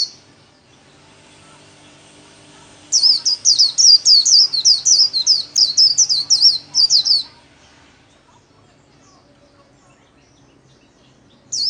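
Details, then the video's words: Kept white-eye in 'líu' solo, played for everyday song training: a burst of about fifteen loud, high, quick slurred chirps over four seconds, framed by quiet gaps. "KHUYÊN LÍU SOLO RẤT HAY - LUYỆN KHUYÊN LÍU MỖI NGÀY"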